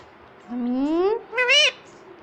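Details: Talking ringneck parrot, a pet, utters two voice-like syllables: a long, smoothly rising, hoarse first note, then a shorter, louder, arched second note, like a mimicked word.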